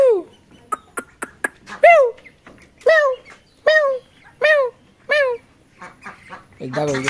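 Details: Pet talking rose-ringed parakeet giving a series of loud, harsh downward-slurred squawks about once a second, with short sharp clicks and a person speaking nearby at the end.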